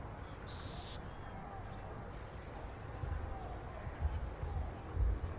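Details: Young burrowing owl, Brazil: one brief breathy, hissing screech near the start, followed by low rumbling wind and handling noise.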